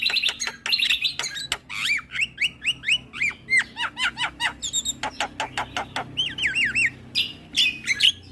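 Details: Javan myna, a cage bird, lively song for rousing stressed, silent mynas; long series of clear looping whistled notes repeated in quick rhythm, interspersed with sharp clicks and harsh rasps.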